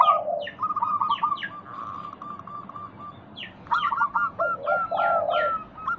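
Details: Local zebra dove singing to stimulate other doves: quick staccato coo notes run into a low, soft purr, then a louder rolling series resumes. Other small birds chirp in short falling notes.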